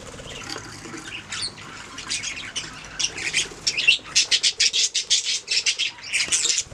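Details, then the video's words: Pet budgerigars chirping and singing: a steady run of sharp, squawky chirps and chatter, fast bursts repeated roughly twice a second, growing louder and denser through the second half, with soft background rustling. "Budgies singing making sounds chirping"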